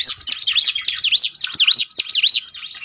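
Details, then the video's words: Loud, clear song of a prinia, used to spur birds to sing more often: evenly repeated high whistled notes, each dipping and rising in a V-shaped sweep, with a few soft clicks. "ciblek gunung mana yang gak tergoda ikut berbunyi"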